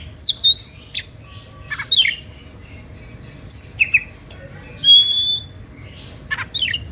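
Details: Oriental magpie-robin singing emotionally, its song provoking rival magpie-robins to sing too: separated loud whistled phrases, some sliding downward, others clear level notes, with short pauses between them.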